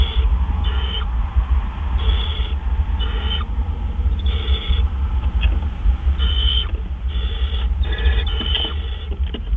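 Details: Owl food delivery, 4:03 AM, April 12, 2013. Softer rasping hisses come in uneven bursts, some paired closely together, with longer gaps between groups, above a loud, continuous low hum.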